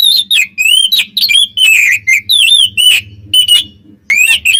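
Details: Twin Oriental magpie-robins singing to provoke rival birds, used as a lure. Loud high whistles dip and rise in quick varied phrases, almost without pause, over a faint low hum.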